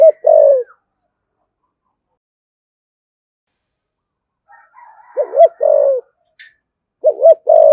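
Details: Spotted dove 'thổ sấm' cooing, with thúc gù and calling coos: three low phrases spread over the recording, each a wavering double note and a drawn-out coo, with faint chirps and clicks between them.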